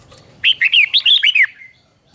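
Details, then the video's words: Red-whiskered bulbul teacher bird giving a clear doubled song, played for captive birds to copy: one quick phrase of about eight bright, warbling, up-and-down whistled notes lasting about a second, then quiet. "เสียงนกกรงหัวจุก | สุดยอดนกครู เบิ้ลชัดๆ เบิ้ลเป็นคู่ๆ เสียงกระตุ้นนกรงหัวจุก"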